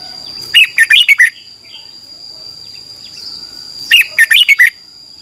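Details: Morning song of a Red-whiskered bulbul used to train a newly caught wild bird, two short phrases about three seconds apart, each a quick run of five or six bright, warbling chirps, over a faint constant high whine.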